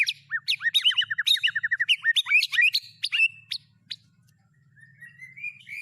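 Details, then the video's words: White-rumped shama song holding fill-in phrases of cililin, canary and lovebird: a quick string of hooked chirps and chatter, then quieter drawn-out rising whistles near the end. "Burung Murai Batu MU KURANG GACOR., BONGkar Isian speed cililin, kenari, love bird Dll..!"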